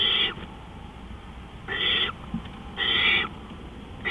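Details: At 3:15 AM on April 20, 2013, an owl makes long, breathy, rasping screeches about a second apart, two full calls between clipped ones at the edges.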